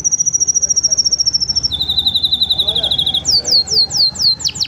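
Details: Training song of five canaries: a long, evenly pulsed high trill drops to a slightly lower rapid trill, then breaks into loud arching whistled notes repeated about twice a second.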